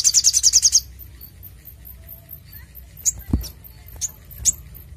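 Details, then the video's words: Crimson Sunbird recording meant to provoke other birds into singing and to train them: a quick, very high trill of rapid notes under a second long, then a few scattered sharp chips over a low background rumble. "Sogok ontong Gacor Dor N3mbak Suara Jernih Untuk Pancing Bunyi & Masteran"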